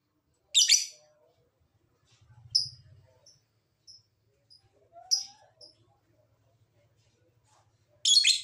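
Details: Lovebird calls used to prompt other lovebirds, even lazy ones, to answer and sing: short harsh high-pitched chattering bursts spaced a few seconds apart, with faint low hum between.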